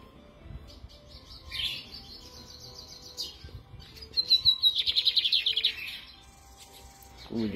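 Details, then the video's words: Lined seedeater singing on a Sunday, 13 November. High buzzy phrases give way to a fast rapid trill of sharp repeated notes lasting nearly two seconds, then a pause, with faint background noise and a low thump at the end. "faça teu bigode cantar na mão"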